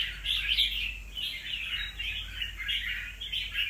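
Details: Wild-caught Red-whiskered bulbul in fresh new plumage, in its second season, giving a continuous run of chattering, warbled notes with short bright peaks. Faint low hum sits underneath.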